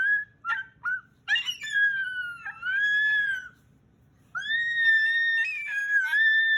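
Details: Male Moluccan cockatoo kept as a pet, calling at bedtime indoors in June 2020 during play: short clipped squeaks, then long wavering tonal wails that dip and rise, a pause, and another sustained bending whine.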